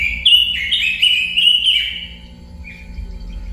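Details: A robin gives a quick chain of bright whistled notes with downward slurs, fading out after about two seconds into quieter trailing notes; low background hum.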